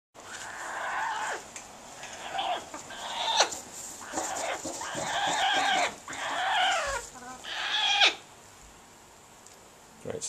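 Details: A roughly 20-year-old female Salvin's Red-lored Amazon in breeding condition, nest building and reacting to her owner's touch, gives harsh, nasal squawks and grating chatter in uneven bursts, some notes sliding sharply downward, about one call a second.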